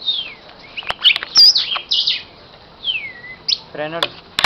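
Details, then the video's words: Cardinal held in the hand, singing: ringing down-slurred whistles and quick chirpy phrases, then a short burst of human speech near the end. "cardenal cantando en la mano"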